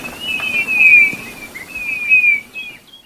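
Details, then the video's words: Eurasian bullfinch singing soft, flute-like whistles that glide downward and run almost together, roughly three linked notes, then fading at the end. "chant de bouvreuils - song Pyrrhula - طائر الدغناش"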